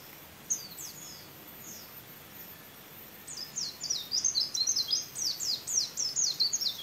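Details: Kept white-eye, described as a champion, singing a canary-style learned song: a few high thin notes, a pause, then a rapid run of sharp descending whistled and chirping notes, fast and continuous, over a steady background hiss.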